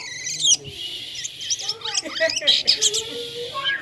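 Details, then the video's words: Jalak kapas starling in vigorous song that resembles a toy. A harsh buzzy note opens the phrase, then come jumbled chirps and whistles and several low, drawn-out tones. "JALAK KAPAS GACOR SUARA MIRIP MAINAN"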